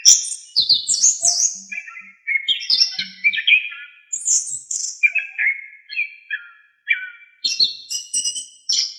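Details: Master recording of an Orange-headed thrush singing gacor with full isian to teach songbirds: phrases of mixed warbles, slurred whistles and chirps separated by short gaps, some lower buzzy notes.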